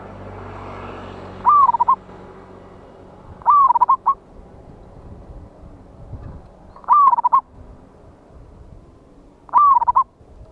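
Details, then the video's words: Loud-voiced wild local zebra dove, recorded 11/8/24 as a trapping lure: four separate phrases, each a drawn-out coo slurring down into a few clipped notes, spaced two to three seconds apart over faint background hiss. "PANCINGAN BURUNG PERKUTUT LOKAL ALAM SUARA BESAR"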